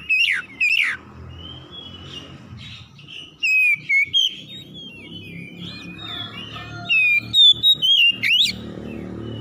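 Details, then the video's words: Morning countersinging of oriental magpie-robins (kacer) in a rough 'kasar' style. Sharp swept notes and varied whistled warbles rise and fall over a steady low background hum, with a quick run of loud notes near the end. "PANCINGAN KACER PAGI HARI SALING SAUT SAUTAN KASAR"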